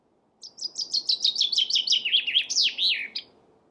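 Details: Chaffinch song: a loud rattling series of quick descending notes, speeding into a flourish near the end, about 2.8 seconds long in a quiet setting.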